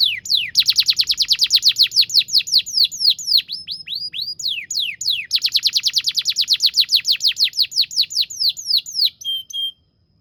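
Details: Long canary song used to train young canaries: extended rapid rolling trills of sharp down-slurred notes. The rolls speed up and slow down, broken by brief whistled phrases, and end on a short steady whistle.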